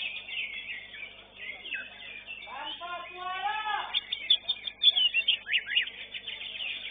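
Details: Greater green leafbird, third-place winner at a bird singing contest, sings a rapid, varied run of high chirps and sharp whistled notes, with a man's voice and other birds behind it.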